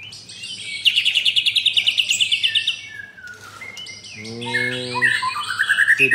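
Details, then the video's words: White-rumped shama, one of four caged birds, opening with a fast pulsing high trill of the 'pastol' type, then a pause with a low droning tone and a few rising whistled phrases; 9 June. "4 Murai Batu - Ada Pastol"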